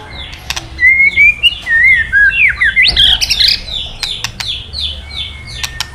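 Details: Male white-rumped shama singing after being provoked with recorded calls: a series of smooth whistled notes, then harsh rising scratchy phrases, with sharp ticks scattered throughout.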